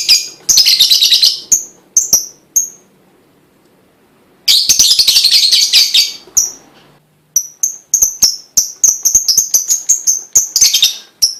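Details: Lovebird song used to get other lovebirds singing: loud shrill chattering bursts separated by a quiet pause, followed by a quick string of sharp high chips and more twittering.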